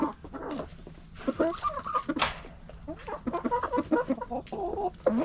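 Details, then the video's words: Backyard hens and roosters pecking and scratching, with several hens giving short, wavering clucks in quick overlapping bursts and one sharp louder note near the middle. "Hens Clucking Roosters Crowing!"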